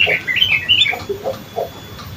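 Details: Sooty-headed bulbul (young bird) giving a ngriwik phrase: a short run of bright wavering warbled notes, then a few lower soft chirps trailing off.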